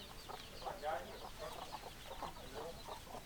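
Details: Several chickens clucking together, short overlapping rasping notes at a steady rapid pace over background noise.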